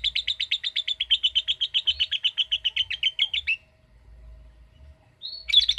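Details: Long chattering ngekek trill of a lovebird, with rapid grating pulses for about three and a half seconds, then a pause before a short shrill burst of chirps.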